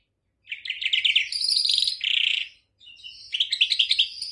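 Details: Goldfinch performing touala-style notes, European goldfinch: bursts of rapid, high, buzzy twitters and trills, a short pause, then more quick chattering phrases, clean background.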